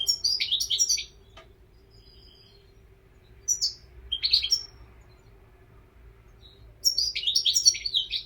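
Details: European goldfinch: rapid, tinkling twittering bursts at the start and end, with a few scattered chirps and faint thin whistles between them in a quiet room.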